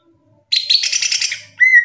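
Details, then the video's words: A Greater Green Leafbird in full song gives a loud, rich burst of scratchy, chattering notes lasting about a second, then a clear, steady whistle. Nothing else is heard. "SUARA CUCAK IJO NGRPLONG GACOR"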